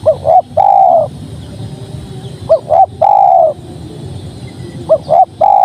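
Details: Tekukur (spotted dove) song: two short coos leading into a prolonged mellow coo, the phrase repeated three times at about two-second intervals over a quiet, steady background.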